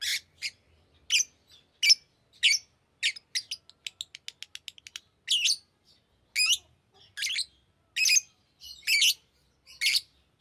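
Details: Green lovebird chirping: short sharp high chirps in irregular bursts, with a quick rapid ticking run in the middle, then louder squeaky rasping notes, otherwise quiet background.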